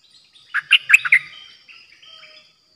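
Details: A new decoy Streak-eared bulbul, 06/05/2022, delivers a brief cluster of four bubbly chirps followed by softer trailing notes, over a quiet background.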